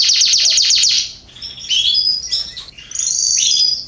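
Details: September 2020 garden canaries: a fast rattling trill of repeated notes, a short gap, then varied twittering whistles and a sustained bright warbled phrase.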